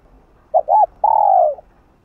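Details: Spotted dove's urging coo, used to stir up another dove: two quick rounded notes followed by a long, level, slightly falling coo held about half a second.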